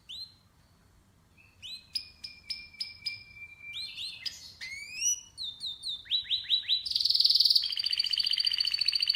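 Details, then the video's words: Canary song opening after a quiet second, then varied phrases: repeated rising chirps, sweeping notes, fast buzzy trills and a bright high rolling trill at the end, over faint low background hum. "Canary's voice A very beautiful canary's chirping canary's voice"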